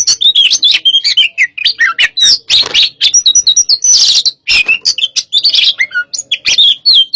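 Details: Caged white-rumped shama, hot type, sparring (pacingan) with another bird; loud, rapid varied song of whistles, sharp chips and buzzy rattles, constantly changing phrases with few pauses.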